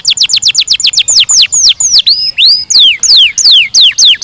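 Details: Singing canary opens with a rapid series of short falling chirps. These slow into longer, looping swept whistles, some rising and some dropping.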